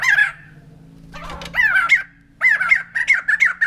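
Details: White-crested laughingthrush (poksay jambul putih) giving loud, honking squawks: a short opening burst, a pause, then a rapid series of strident, repeated notes.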